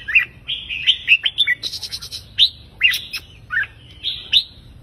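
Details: Counted-phrase song of a red-whiskered bulbul in three to five note phrases, meant to rouse listening birds: quick run of warbled whistles and sliding notes, then spaced sharp chirps and a closing upward-slurred phrase.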